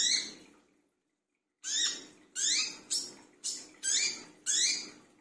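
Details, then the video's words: Brown-throated sunbird (wiceh) noisy at midnight, a lure recording: a silent gap, then six harsh buzzy rising notes in quick succession, each fading out. "burung wiceh / kolibri kelapa brisik tengah malam"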